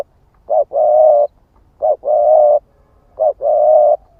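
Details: Spotted dove ('ức chẻ' type) calling as a lure: three two-part phrases, a short clipped coo followed by a long, steady, mellow coo, spaced about a second apart.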